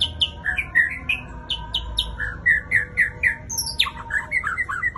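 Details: Varied white-rumped shama song: quick chirped notes at shifting pitches, then a sharp high whistle sweeping steeply downward before a rapid burst of clustered chirps, with constant low humming underneath.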